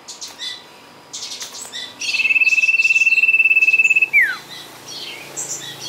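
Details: Sirtu song played as a lure: one steady, rapidly pulsed high trill about two seconds long that ends in a sharp downward slur. Brief chirps and twitters from other birds come before and after it.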